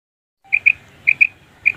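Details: Female quail calling, recorded as a lure for quail hunting in wheat fields: sharp, high paired notes, three quick doublets about half a second apart, against a quiet background.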